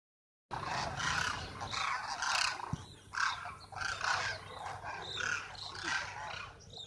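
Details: Demoiselle cranes gathered at Khichan village near Jodhpur, Rajasthan, India: many birds giving overlapping rolling, trumpeting calls in rapid bursts, forming a continuous noisy chorus with no silent gaps.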